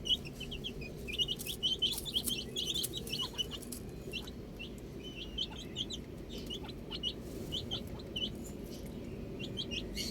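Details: A group of baby chicks outside chirping steadily: many overlapping short, high, downslurred peeps come several per second without pause, with faint clicks and a soft low background hum.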